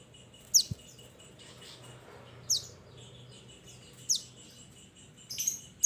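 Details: Pied Bushchat called mountain mantenan calling its companions with spaced, high down-slurred chirps every second or two, heard rather quietly over faint background noise and a single click.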